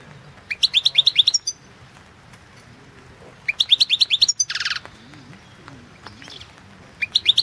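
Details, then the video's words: Competition song of a European goldfinch, Balkan form, entered in the 2016 online World Championship in Goldfinch Song: bursts of rapid, bright, rising twittered notes, then a buzzy rasping note, repeating after pauses. "Pesma štiglića"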